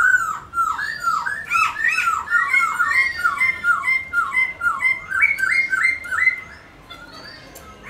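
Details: White-browed laughingthrush song, meant to spur pet birds to sing: a fast run of loud, bouncing whistled phrases, each dipping and rising, repeated more than twice a second before fading to quiet.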